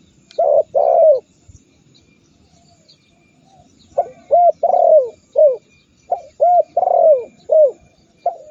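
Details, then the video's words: Spotted dove calling in a masteran recording meant to stir rival doves into calling: mellow, hollow coos in phrases of two short notes, a longer drawn-out falling coo and a short ending note, repeated after a pause over faint low rumble. "Masteran burung tekukur super dahsyat membuat lawan ikut gacor mendengkur ngamuk"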